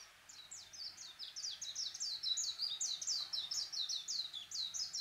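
A warbling white-eye sings a fast, high, twittering stream of sweet chirps that tumble on without pause, over faint background noise.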